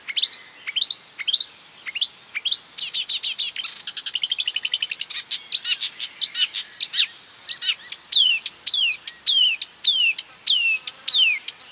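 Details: Repeated rising whistles open this marsh warbler's imitative song, then a long fast trill of chips, giving way to a regular series of sharp downslurred notes repeated about twice a second.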